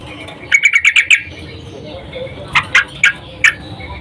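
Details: Female yellow-vented bulbul in breeding condition calling for a male; a quick burst of six bubbly chirps, a pause, then four spaced, slightly lower chirps.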